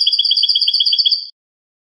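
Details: European goldfinch in clean-song style (cante limpio), recorded for teaching captive birds: a steady, fast, pulsing high trill of paired tones lasting about 1.3 seconds, then silence.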